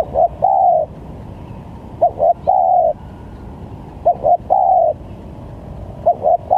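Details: Spotted dove lure call for trapping, varied in sound: each phrase a brisk two-note coo leading into a longer level coo, repeated about every two seconds, with faint background noise.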